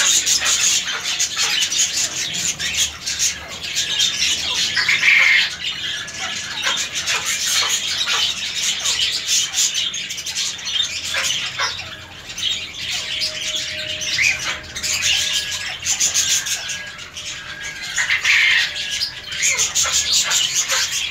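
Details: A dancing cockatiel gives harsh, scratchy, high-pitched squawks and chatter, nearly continuous.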